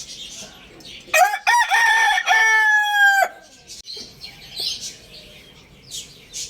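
A rooster gives one loud, harmonic crow of about two seconds, broken at the start and then held level before ending abruptly, over a faint background hiss.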